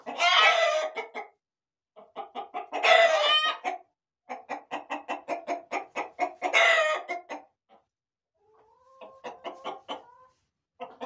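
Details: Chickens, roosters and hens together in a corral, giving three loud, raspy drawn-out squawks amid rapid rhythmic clucking, with a softer thin tonal note near the end among continued clucks.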